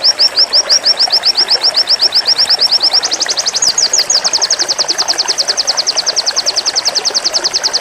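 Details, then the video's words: Zipper-style pleci white-eye song: an unbroken, very fast trill of high identical chips that jumps slightly higher in pitch after about three seconds and carries on evenly to the end, with low background hiss. "BURUNG PLECI ZIPPER GACOR FULL NEMBAK PEDAS"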